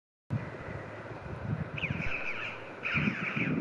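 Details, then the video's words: A flock of red-billed choughs flying in Jersey, July 2019, after a successful breeding season: harsh, ringing chee-ow calls, two bursts about a second apart, over strong low wind rumble. "Red-billed choughs flying"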